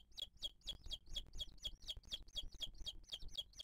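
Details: High sharp piping notes, each a short upward flick, repeat briskly about four times a second at a booted eagle nest in 2023 as the female feeds the chick.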